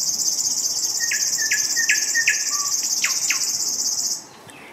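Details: A River warbler, recorded in May 2021 near Denisovo, Pronsky District, Ryazan Oblast, Russia, gives a dry, rhythmic, insect-like buzzing for about four seconds; another bird adds short whistled downslurred notes.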